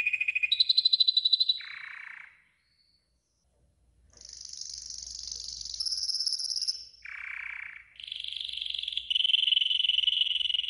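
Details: Yellow golden canary training song in phrases of varied trills, high and low tours, a silent gap of about two seconds, then more rolling and bright high trills.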